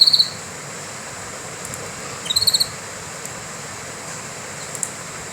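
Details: Canary giving brief, high trilled bursts of rapid repeated notes, one starting the stretch and another about two seconds later, with faint clicks and a constant hiss between them.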